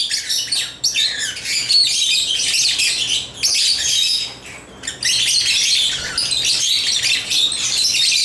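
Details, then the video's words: Rapid, high-pitched twittering from African lovebirds busy with toys, delivered in shrill bursts separated by short dips in loudness. "Love birds chirping & playing toys"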